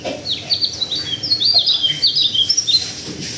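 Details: Local white-eye from Sulawesi, Indonesia, singing a fast, jumbled twitter of high, thin, sliding whistled notes. The notes are packed closely together across about three seconds, over a quiet background hum.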